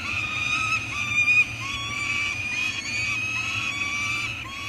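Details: Two Peregrine falcon eyasses (chicks) at a nest on Anacapa Island on 18 May 2022 give a steady chorus of harsh, drawn-out, overlapping begging wails over a faint low rumble. Food has been brought in; one chick eats while the other practises wing-flapping.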